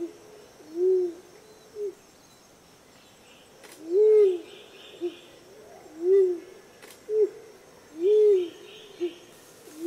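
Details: Rose-crowned fruit dove recorded in Australia: low hollow coos, each a short rising-falling note followed by a brief softer note, repeated about every two seconds, with faint insect buzzing and a steady high hiss behind.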